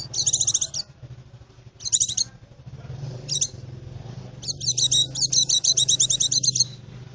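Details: White-eye song for luring birds in the forest, with low hum behind: short high twittering bursts separated by pauses, building into a long, fast run of repeated sharp chirps.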